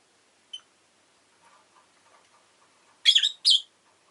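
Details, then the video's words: Rosy-faced lovebird kept as a pet, one short faint peep, soft mutters, then two loud harsh rasping chirps back to back near the end. "Lovebird Chirping Sounds"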